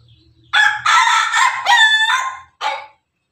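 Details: Pelung rooster crowing loudly: a long, rich, harmonic crow of about two seconds broken into several joined segments with a wavering, drawn-out ending, followed after a short pause by one brief extra note.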